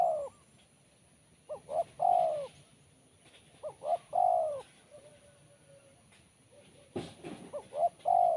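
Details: Spotted dove with a sharp, crisp voice in kuk 1 style: three phrases, each with quick clipped notes leading into a drawn-out, slightly falling coo, separated by pauses.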